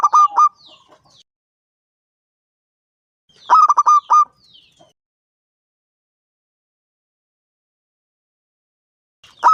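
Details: Zebra dove of local stock, aged five, singing to prompt other doves to call: bursts of quick bubbling coos closing on a held note, with long silent pauses between phrases.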